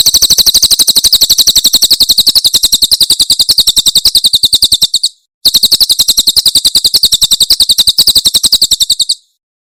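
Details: Clear tutor recording of a Javan prinia, tembakan from Cililin, used to train cage birds: a long high buzzy trill of rapid identical notes, a brief break, then another long trill.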